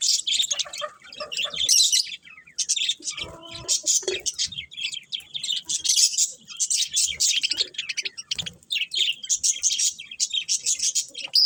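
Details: Busy high-pitched twittering from a group of pet budgies, fast scratchy warbles repeated in bursts, with one brief lower nasal tone around three to four seconds amid the chatter.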